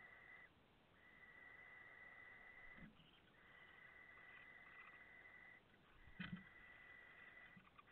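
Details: Late-hatched barn owl brood of five, August 2017: a run of sustained rasping hisses, one after another, with a few soft low thumps and knocks in between.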